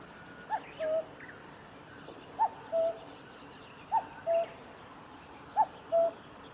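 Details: Common cuckoo singing at the Kitafuji Maneuver Area, Japan, on 15 July 2019: four two-note cuck-oo calls, a short higher note dropping to a longer lower one, repeated about every one and a half seconds over faint background hiss.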